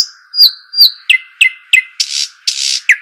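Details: Arabian babbler, locally shuhaim or dakhal: drawn-out high whistles, then short sharp downslurred notes, two harsh hissing rasps and a final pipe, all over a steady background hum.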